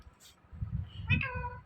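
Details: Talking Indian ringneck parrot, a pet, gives a short nasal meow-like imitation lasting about half a second, rich in harmonics and steady in pitch, after a faint brief hiss, with low murmuring background noise and a person repeating a word nearby.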